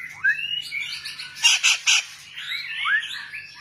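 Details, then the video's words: White-rumped shama singing short rising whistles, then three quick loud harsh notes, then a smooth run of looping, warbling whistles. "burung murai ekor panjang"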